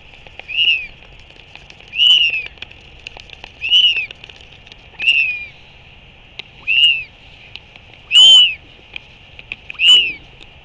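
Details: A royal albatross chick in New Zealand gives seven high, clear whistles, each slightly rising then falling, about every one and a half seconds, during a lunchtime feeding by its father. Such begging calls prompt adults to regurgitate food. Otherwise quiet.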